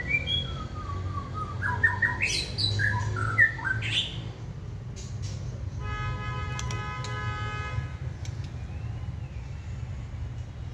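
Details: Wild-caught caged White-rumped shama in its second season, said to sing when excited: four seconds of stepped whistled phrases climbing in pitch, then a steady tonal hum and noise with the bird falling quiet.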